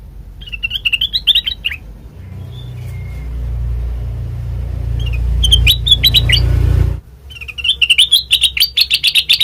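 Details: Sooty-headed bulbul lure sound meant to make other birds respond: bursts of rapid, wavering chips, broken by a few seconds of loud low rumbling noise, then the fast chattering series resumes strongly.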